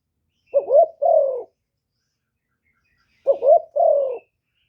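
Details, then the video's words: Cooing of a spotted dove kept as a lure for wild doves: two clear phrases roughly three seconds apart, each a burst of short rising coos ending in one longer, lowering coo. A faint higher chirp is heard in the background. "TIẾNG CHIM CU GÁY 1 HẬU RÒNG BỔI CỰC GHÉT, CU GÁY KÍCH BỔI CỰC CHẤT"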